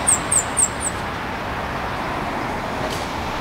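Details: Blackpoll Warbler on Central Avenue, Albany NY, 26 May 2014, giving four extremely high, thin, evenly spaced notes in under a second against a steady wash of traffic noise.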